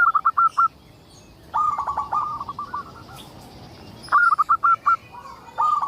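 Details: A local zebra dove sings repeatedly as a lure to prompt other zebra doves to sing. Four quick stuttering coo phrases of clipped, mid-pitched notes. The phrases come in bursts and sometimes run into trailing rolled notes.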